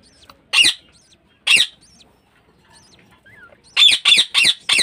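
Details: Home-kept budgerigar in a breeding cage calls with single harsh squawks spaced about a second apart, ending in a fast run of four loud rasping notes.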